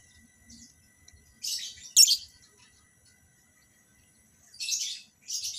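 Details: Captive lovebirds during pairing for mating: harsh, piercing screeches in short clusters, one pair of loud shrieks near the start, a pause of over two seconds, then two more raspy high bursts.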